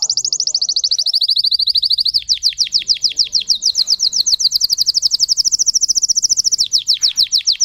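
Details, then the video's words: Caged Russian canary bred for singing pours out a long, very rapid, rattling high trill, its pitch dipping briefly twice before resuming the same even, machine-like roll. "Red trees Canary Singing"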